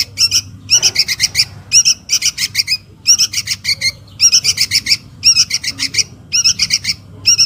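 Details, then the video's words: Sooty-headed bulbul chick calling to its mother, a lure sound: steady volleys of harsh, nasal, buzzy notes in tight groups of three to five, repeated throughout against a quiet hum. "SUARA PIKAT // ANAK KUTILANG MEMANGGIL INDUKNYA"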